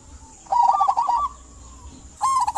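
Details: Local zebra dove song meant to coax silent doves into singing; one rapid rolling phrase of trilled coos trailing into a soft drawn-out note, then a second short burst starting.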